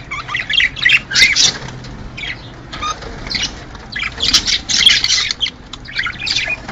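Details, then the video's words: Budgerigars heard in a sound said to spur mating: irregular bursts of harsh, buzzy warbling and chirps, several per second, separated by brief lulls with a faint background hum. "هّذا الصوت يحفز طيور البادجي على التزاوج / This sound stimulates the buddies to mate"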